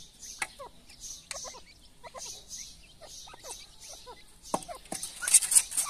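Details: Soft clucking from a mother grey partridge feeding her chicks on live food. Brief descending notes come in small clusters about once a second. Crisp ticking and rustling sounds grow louder near the end.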